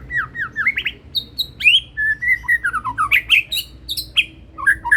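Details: Medan-type white-rumped shama, young and banded, singing keenly: varied whistled notes, a high piping pair, then a lively mix of slurred whistles and bright chattering trills, with quiet low hum behind.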